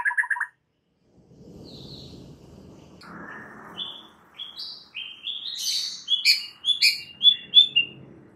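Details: White-rumped shama song played as a lure to make a shama sing its full repertoire: after a short chip and a quiet pause, a varied sequence of thin high whistled notes and quick trills, with faint low background rumble.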